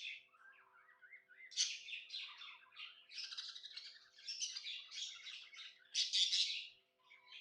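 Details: Happy pet budgerigar chirping indoors: a continuous, busy warble of scratchy chirps, clicks and short whistles that rise and fall, with louder bursts near the middle and end, over a faint steady electrical hum.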